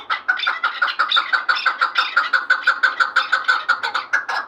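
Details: Vanj chukar partridge delivering a brisk string of coarse clucking chuk notes, about three each second, regular and loud, slightly richer and more rattling in the opening second.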